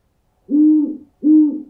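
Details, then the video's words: Two loud, clean owl hoots, each steady and level for about half a second, separated by a brief pause. The recording is used to scare off birds. "Owl Sounds To Scare Birds"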